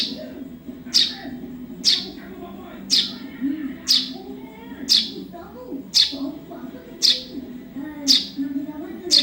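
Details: Nine or ten shrill chirps in a regular series from a young Eurasian tree sparrow, roughly one per second, with soft low voices or murmuring in the background; used for training songbirds.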